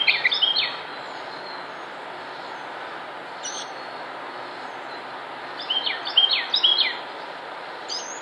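A northern mockingbird sings short bursts of bright, varied chirping phrases at the start and again near the end, over a steady hiss of background noise.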